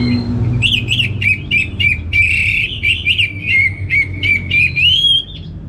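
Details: Anis merah, the orange-headed thrush, from North Bali. It delivers a fast run of repeated sharp chips that blend into a sustained, wavering whistle rising at the end. A low background drone is present.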